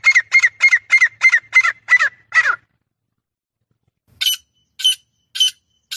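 A female francolin gives a fast run of eight harsh, squeaky notes, about three per second, then after a pause four higher, thinner notes spaced half a second apart.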